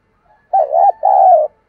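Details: Single spotted dove phrase in the decoy-rousing style: a mellow two-part coo, the first half dipping and rising, the second a longer even purr, with no background sounds.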